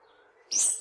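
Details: Hihi (stitchbird, Notiomystis cincta) recorded in New Zealand in 2019 gives one sharp, very high, buzzy call about a third of a second long after a quiet start with faint low background hum.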